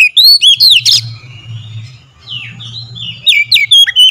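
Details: Kacer, or oriental magpie-robin, singing as a lure to provoke loud song: opening bright whistled slurs and a harsh burst, a quieter middle of soft warbles over low hum, then crisp rising and falling whistles again.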